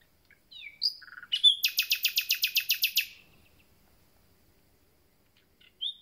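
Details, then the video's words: Common nightingale song from birds that have just arrived: a few whistled slurs lead into a fast, even burst of about fourteen sharp, loud notes over roughly one and a half seconds. After a pause comes one final whistled note. "Słowik rdzawy i jego piękny śpiew"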